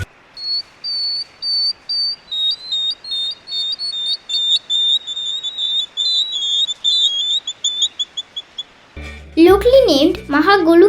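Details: Great Thick-knee (great stone-curlew) of Sri Lanka's dry zone, a bird of river and lake shores: high, thin whistled notes in a quick, uneven series with overlapping calls, before a voice and music cut in.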